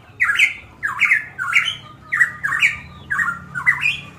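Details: Golden myna, locally called cucak emas or cucak rowo Papua, from Manokwari, Papua, in a lively singing mood. It gives loud, harsh, squawking two-part notes that slide up and down, repeated about every half second in a small room.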